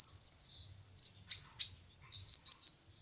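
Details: Rapid high trill from a kolibri ninja sunbird followed by three sharp downslurred chirps and a string of four bright whistled notes, recorded for training competition birds.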